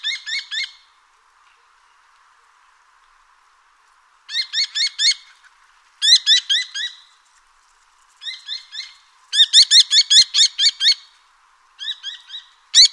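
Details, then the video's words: Common kestrel uttering repeated bursts of rapid, shrill, ringing notes, each run of four to nine notes separated by short pauses, the loudest sequence near the end, with no other sounds. "Gheppio - Falco Tinnunculus"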